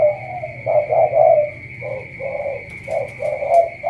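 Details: Rich, low coos from a spotted dove in Cà Mau: a loud double coo, then a series of shorter hollow notes in pairs, accompanied by a continuous high electronic whine.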